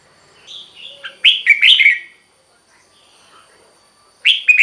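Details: Song of a red-whiskered bulbul, used to rouse caged birds: a soft warble, then a loud burst of rich slurred whistles, a pause, and another phrase beginning at the end.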